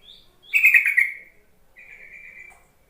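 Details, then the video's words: Call of a yellow-vented bulbul, used to coax lazy bulbuls to sing: a sharp, loud chattering burst followed by a softer, drawn-out buzzy trill. "Suara panggilan trucuk untuk memancing trucukan bahan ombyokan malas bunyi"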